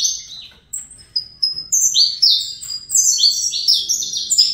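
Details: Fibra-type song from a young captive-bred Saffron Finch: soft opening chirps build into loud rapid strings of high, clipped, downward-sliding notes repeated several times a second.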